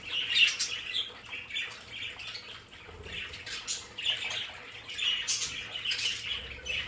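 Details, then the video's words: Household budgerigars in their play area make soft warbling chirps and scratchy notes in loose clusters against the steady rush of running water. "Sonidos de periquitos Australianos"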